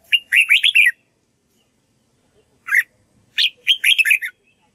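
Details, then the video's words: Red-whiskered bulbul song meant to teach white-cheeked birds. Loud, lively phrases of fast, rolling, slurred whistles follow one another after brief pauses, with one short, sharp note between them. "Chào mào luyện giọng cực hay để ép chim má trắng học giọng"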